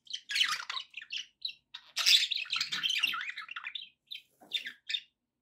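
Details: A group of pet budgerigars giving dense bursts of buzzy, twittering chatter mixed with squeaky chirps, then a run of fast warbling before the sound breaks into a few isolated short calls.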